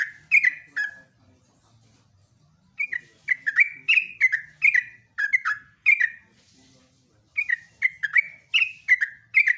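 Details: Yellow-vented bulbul, called trucukan, in vigorous morning ropelan song: short bursts of liquid, falling, chattering whistles, then long sequences of quick repeated phrases after a pause of about two seconds.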